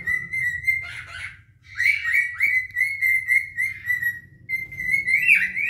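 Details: Two mature cinnamon cockatiels whistle a courtship duet: level whistled phrases with warbles, a brief lull, then a rising note near the end, low hum throughout.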